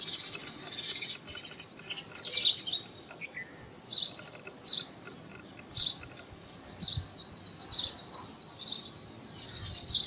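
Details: Indian robin in song: an opening rich warbled burst, then a series of short high chirped notes repeated roughly every second, against faint outdoor hiss.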